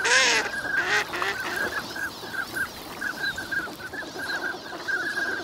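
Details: Winter migrant ducks at Nagahama, Lake Inawashiro, on a fine morning; a loud, harsh call with a falling tone opens, then a run of short nasal notes repeated about once or twice a second from the flock.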